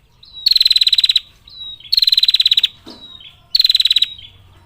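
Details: Female bar-winged prinia calling to males with a long, clear trill: three high, rapid bursts of ticking, buzzy notes, each under a second long, coming about every one and a half seconds.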